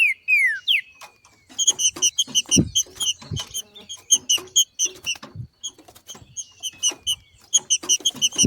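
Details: Green-winged saltator (trinca-ferro), a female calling in the male-like 'macheando' manner in nature, used to stimulate other saltators to sing: falling whistled slurs at the start, then rapid bursts of sharp, bright repeated notes with dull low thumps between.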